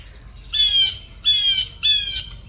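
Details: Blue Jays screaming while harassing a captive hawk on her enclosure, which has just caught one: three harsh, grating screams, each under half a second, about twice a second; grackles are also present nearby.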